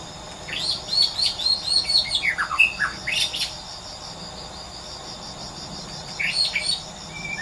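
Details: White-rumped shama in the wild, singing insistently: a quick series of high, sharp, evenly spaced whistled notes, then lower swooping slurs. After a quiet gap a short high burst returns, with steady insect trilling throughout.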